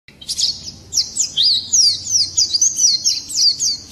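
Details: Swinhoe's white-eye singing in the morning: a rapid, continuous high-pitched warble of thin twittering notes with quick up-and-down slurs, delivered almost without pause over four seconds.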